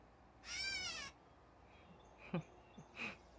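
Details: Catbird giving one nasal, cat-like mewing note lasting about half a second, followed by faint scattered chirps and a soft later call against quiet outdoor background.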